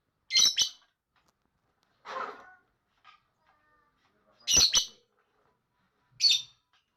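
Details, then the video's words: Lovebird chatter: loud double shrieks in high pitch separated by a lower scratchy rasp, irregularly spaced over several seconds with silent pauses. "Ocehan Burung Lovebird"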